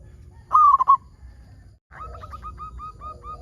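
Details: Local zebra dove singing steadily, a recording used to prompt other zebra doves to sing: one loud pulsed coo burst, a short pause, then a soft string of evenly spaced hooked coos.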